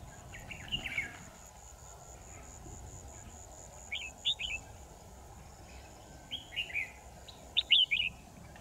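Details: Trapping decoy red-whiskered bulbul, large with a tall crest, recorded 10 December 2018, sings four separate clusters of quick, warbling whistled notes, the last loudest, with pauses of one to three seconds between them. A faint constant high hum persists throughout.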